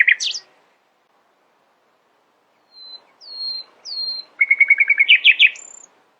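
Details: Early-morning nightingale song opening with a short harsh burst, then a pause, three thin falling whistles, a rapid rattling trill and a final high pure whistle.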